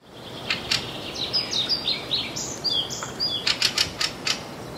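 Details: Fieldfare (björktrast) in northern Sweden, filmed on June 6, 2022, giving calls possibly mixed with alarm calls: harsh, dry chattering bursts repeated in quick runs, with a few thin high whistles between them and steady background hiss.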